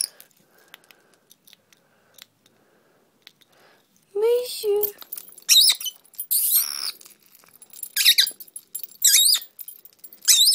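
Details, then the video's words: Female pet dwarf parrot making funny noises while played with keys: a series of sharp, squeaky whistles and harsh chattering notes, starting after about four seconds of near silence with faint clicks. "My parrot makes funny noises"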